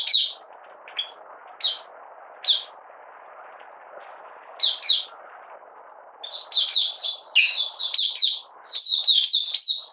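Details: Malaysian mata puteh, the Oriental white-eye, a caged bird in minor moult singing on 31 July 2023. A few isolated high chips at first, then a dense, excited run of twittering notes over a steady low background hiss.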